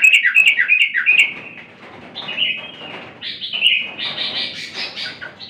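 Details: Yellow-vented bulbul singing actively: a quick run of bubbly, chirping notes that then drops to softer, scattered warbled phrases.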